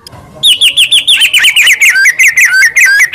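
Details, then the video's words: White-rumped shama, long-tailed Medan type: a rapid run of about fourteen bright chirped notes, sliding down in pitch from high to mid across the phrase, clean and loud against a quiet background. "murai gacor || murai pikatan || murai medan || murai batu ekor panjang || murai || burung murai"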